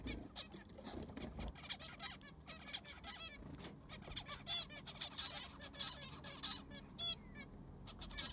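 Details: Zebra finches calling in an aviary, fresh sand just put down: continuous busy chatter of nasal toy-trumpet beeps and short buzzy notes from many birds, with faint low background hum.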